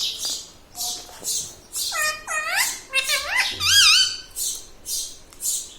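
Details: Pet parrot talking indoors, said to say mummy, papa and radhe radhe: squeaky, swooping harmonic syllables rising and falling in quick succession, with breathy broadband bursts between them.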